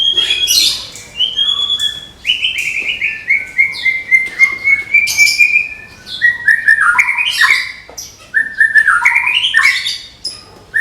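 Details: White-rumped shama, a Medan murai, in competition-ready song at a hanging contest pole: varied whistled phrases, long clear notes sliding between high and mid pitch, interspersed with sharp rapid chips and rising flourishes.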